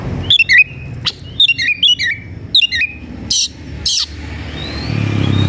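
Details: Oriental magpie-robin singing aggressively in search of a rival to fight: a quick, twisting whistled phrase repeated three times, then two harsh noisy bursts, then low rumbling noise.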